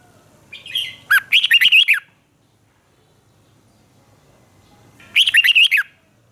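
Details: Red-whiskered bulbul from Thailand singing a southern master-style phrase used to excite caged birds and train chicks: two quick bubbly warbled phrases about four seconds apart over a low background hum.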